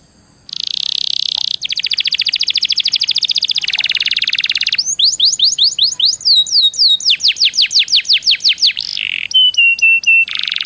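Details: Canary singing as a lure to prompt other canaries, opening with dense buzzy rolling trills, then series of fast rising whistled notes and short clipped notes, ending in another harsh trill.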